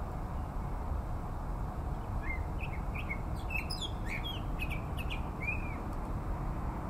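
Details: A perched Costa's hummingbird in gardens in North Phoenix, Arizona, gives a scattered series of short, thin chips and ticks over a few seconds, some slightly upslurred, against a steady low rumble of background noise.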